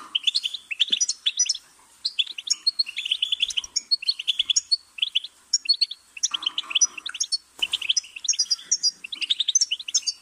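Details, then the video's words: High, sparkling twitters from a goldfinch, phrase after phrase of rapid chirps with quick short pauses, steady and energetic throughout, little else audible. "Goldfinch's Singing"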